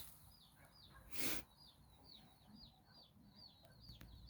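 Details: Nine chicks exploring alongside their mother hen in Bizkaia, Basque Country. Soft, high, downward chick peeps repeat steadily, interrupted by one brief loud broadband noise burst.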